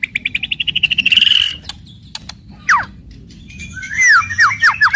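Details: White-rumped shama (murai batu fastol) singing an aggressive, fierce 'kretekan' and 'tembakan' song meant to provoke other shamas: a fast, accelerating train of loud clicking notes, one sharp downward slur, then a burst of bright descending whistles over a low steady hum.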